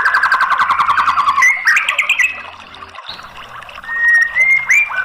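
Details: Rich White-rumped shama song used as a lure for a silent bird: a rapid buzzy chattering trill opens, then a bright jumble of notes and a quiet pause, ending in clear rising whistled phrases.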